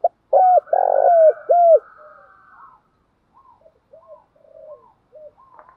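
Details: Male and female spotted doves calling to prompt other doves to coo. Loud phrase of quick falling coos around a burry purr, then a long quieter murmur and scattered soft short coo notes.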